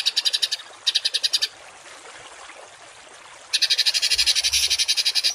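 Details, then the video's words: Harsh 'tembakan kasar' masteran song of a songbird for teaching cage birds. Two short buzzy pulse trains come first. After a two-second gap, a dense, rough, rapidly repeated burst follows. "MASTERAN BURUNG TEMBAKAN KASAR || Suara Masteran kasar langganan juara"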